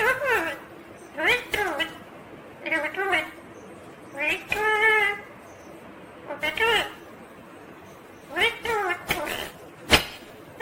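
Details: Rose-ringed parakeet, a ringneck green parrot, talking in natural sound: short voice-like harmonic phrases come in bursts with quiet gaps, about seven utterances in ten seconds, ending with a sharp click.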